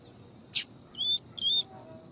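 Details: Double-collared seedeater, part of a training recording pairing tui tui song with a female's calls: a loud click followed by two drawn-out, even, high whistles.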